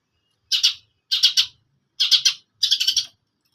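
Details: Long-tailed shrike giving four harsh, rasping double-note bursts spaced under a second apart, with quiet pauses between them.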